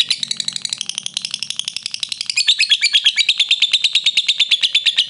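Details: A lovebird's long, clear laughing trill in a tutor recording: one shrill chattering trill of about ten rapid, high, clear notes a second, growing louder halfway through.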